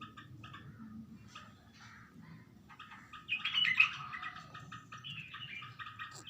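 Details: A bulbul seeing itself in a mirror or glass gives bursts of harsh, chattering chirps that grow louder and busier midway, over a faint low hum.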